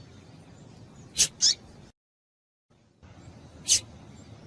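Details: Two quick high notes from a female double-collared seedeater, played to make a male sing, then a brief silent break and one more high chip. Low hiss fills the background.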